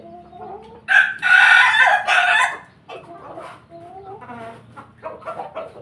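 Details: A flock of chickens of the Pelung, Bangkok and Ayam Ketawa (laughing chicken) breeds kept together. A loud, harsh rooster crow bursts out for about a second and a half, then softer broken clucks and calls follow.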